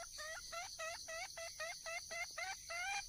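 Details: Red junglefowl hen in the wild calling to attract a male, giving a brisk, regular run of about ten short nasal clucks, each slightly rising, against a steady high-pitched insect hum.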